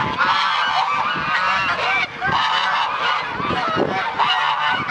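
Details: Winter morning in Dalen as a flock of geese wakes in the sunshine: ringing, nasal honks from many birds overlap constantly, with only a brief dip in the din near the midpoint.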